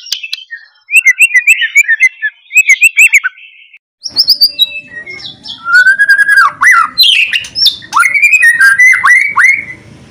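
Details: White-rumped shama singing loudly with loud crackling notes, played to make quiet shamas start singing: bursts of varied whistled and chattering phrases, a brief pause near four seconds, then rising and falling whistles mixed with sharp clicks.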